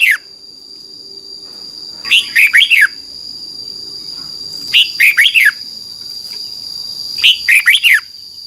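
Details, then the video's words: Song of a red-whiskered bulbul, played in Thailand so caged youngsters learn it: three phrases of four or five rapid, sweet whistles, each falling in pitch, spaced about two and a half seconds apart, steady faint high tone throughout. "นกกรงหัวจุก, 30 นาทีทุกเช้า เพื่อให้นกเรียนรู้ที่จะพูดได้อย่างรวดเร็วและหนักแน่น"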